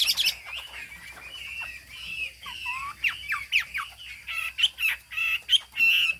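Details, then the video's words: Singing Chinese hwamei from the Hà Giang highlands. Scratchy, buzzy notes mix with short whistled slurs that grow louder and more regular toward the end. "Họa mi hót cao cầu, đuôi lá vả, mỏ nghệ"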